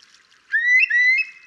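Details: A Eurasian curlew (Numenius arquata), filmed from a distance, gives two quick, clear whistled notes that slide upward, a mellow rising 'cour-lee', over a faint watery hiss.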